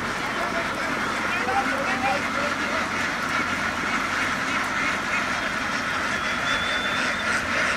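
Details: Flock of laying ducks in Vietnam running across a field and boarding a boat; a dense, continuous chorus of overlapping nasal quacks forms a steady din throughout, with no single caller standing out.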